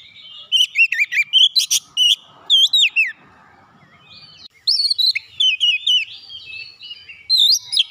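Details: An agitated Oriental magpie-robin, provoked, pours out its learned repertoire. Fast strings of high, looping whistles and sharp chirps come in two dense bursts with a quiet gap between them.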